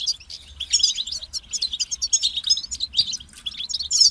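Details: European goldfinch song, kept bird, in a recording meant to stimulate other goldfinches to sing: dense high twittering and tinkling notes with buzzy trills, in short bursts with brief pauses, over a faint low hum.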